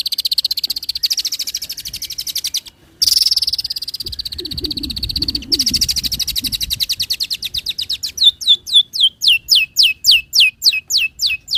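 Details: Long-tailed shrike lure song used as a master for other birds. Long rapid buzzing trills give way to a steady series of loud, downward-slurred whistled notes, about two per second.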